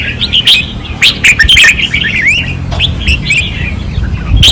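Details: Red-whiskered bulbul singing fiercely on a training perch in Pattani, 2024: bright, quick whistled phrases with slurred rising and falling notes in short bursts, over a steady low rumble.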